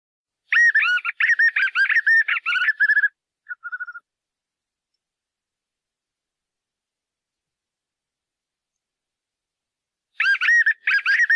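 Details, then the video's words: White-eared puffbird song: a rapid, chattering series of harsh, warbling notes for about two and a half seconds, ending in a few short trilled notes, then silence before the chattering phrase starts again. "Canto Do Pássaro JOÂO BOBO (Nystalus chacuru)"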